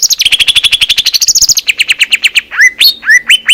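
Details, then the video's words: Greater green leafbird song recorded in Indonesian nature, masteran style: a rapid stuttering series of crisp repeated notes gradually slowing, ending in several loud rising swoops and clear whistles. "SUARA MASTERAN CUCAK IJO JERNIH"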